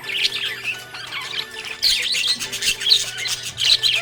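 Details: Chirping budgie, described as happy, gives scratchy, noisy chatter that grows louder and busier halfway through, with sharp squeaky notes over a faint steady hum.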